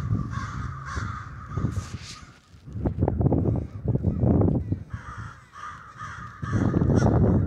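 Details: A murder of crows roosting in the Denver snows caws in bursts. Overlapping rasping calls start and stop, with rumbling low noise between the bursts.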